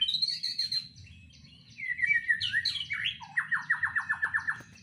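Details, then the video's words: A white-rumped shama kept in a breeding cage sings a loud medley: a high sustained whistle, tumbling slurred phrases, then a rapid string of about ten repeated descending notes. "Suara Murai batu di KANDANG Ternak Full isian"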